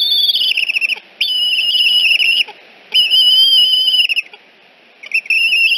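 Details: At the Decorah eagle nest at dawn on 14 September 2018, a returning juvenile is escorted away amid loud, piercing whistled chittering. The calls come in bursts of about a second with brief silences between.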